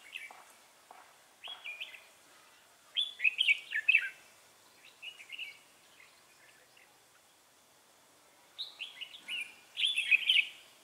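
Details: Red-whiskered bulbul used for trapping, 3 November 2018: chattering, slurred whistled phrases come in clusters, building to a louder warbled burst toward the end.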